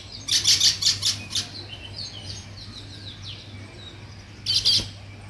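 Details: Weaver birds building a nest, with an opening burst of loud, rapid, high chattering chirps, quieter scattered twitters and slurred notes in between, then another intense chirping burst, over a faint low hum.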